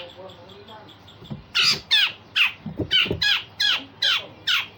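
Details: Grey-cheeked bulbul used to train other songbirds. A quiet murmur and soft low notes lead into a steady series of eight loud, grating, downward-sweeping squawks, about two per second.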